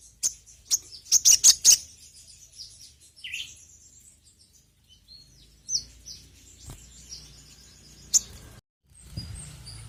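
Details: Sogon (sogok ontong), a bird kept by Indonesian songbird hobbyists, used as a lure; a few sharp high chirps at the start, then scattered thin high notes and short trills over a quiet background.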